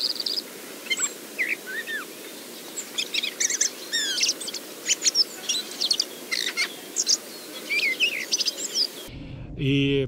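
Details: A common blackbird's quiet 'ventriloquial' subsong, muttered before full song, in a Moscow forest park in early spring: soft, rambling warbles, chuckles and thin high notes for about nine seconds, then an abrupt cut to a low hum.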